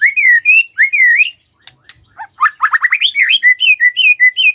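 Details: Lure song of a white-rumped shama for making other shamas sing: sweet slurred whistles, a brief pause with soft clicks, then a fast series of rising notes and varied warbled phrases.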